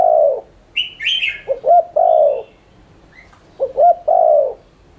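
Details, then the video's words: Spotted dove cooing as a lure for quick cooing; a long falling coo, then two full phrases of short rising notes and drawn-out coos, overlapped early by a brief bright chattering chirp from another bird. "Cu gáy THÚC Liên Thanh kích bổi,mồi ức chế nhanh gáy/kích bổi nhanh nổi"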